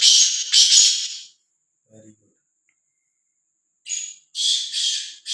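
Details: Free-roaming, fearless black francolin calling: loud rasping phrases, two at the start, then after a silent gap a faint murmur and a fresh run of three harsh grating notes.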